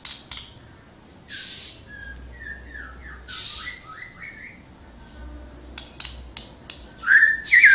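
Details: Flowerpecker in energetic song: a quick run of short, sharp, rising chips, then a loud, bright whistled phrase near the end, with scattered noisy rustles between.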